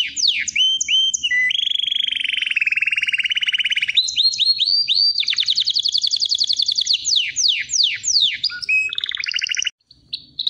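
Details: Singing canary delivering continuous rolling trills. It shifts from a buzzy mid-pitched rattle to high fast tours with swooping descending notes, then brief chirps after a short pause near the end.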